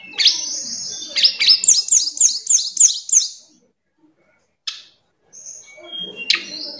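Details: Tledekan gunung (Sunda robin) singing, a song said to suit the afternoon: a rapid series of about seven sharp, high descending notes repeated quickly, then a pause, an isolated clipped note and a final high flourish.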